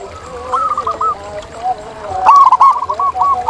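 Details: Local zebra doves in the wild. Softer, overlapping cooing from distant birds gives way to one close, bright phrase of quick bubbling notes.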